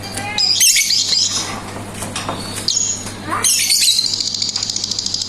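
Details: Lovebird chattering in ngetik and ngekek style: harsh, squawky high bursts with a pause midway, then a dense buzzy run; a low steady hum underneath.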